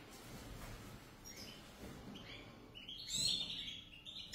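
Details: One of a pair of European goldfinches giving quiet, high tinkling twitters and chirps that grow brighter near the end, over a steady low background hum.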